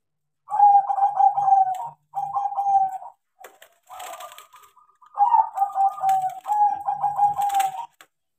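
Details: Zebra dove (crossbred, taught to sing) singing eagerly: two phrases of rapid stuttering notes running into drawn coos, a burst of rustling and clatter between them, then two more phrases of the same pattern.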